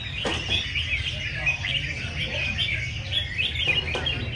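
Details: Red-whiskered bulbuls competing in song at a gathering of bird keepers. Quick overlapping whistled notes and chirps fill the air. Occasional sharp clicks and a background hum of people talking.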